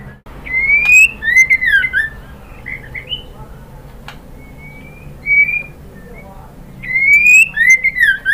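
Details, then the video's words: Calling female white-rumped shama summoning the male: two bright phrases, each a rising whistle run into slurred falling notes, separated by several seconds of softer scattered whistles and a single sharp click. "SUARA MURAI BATU BETINA memanggil JANTAN"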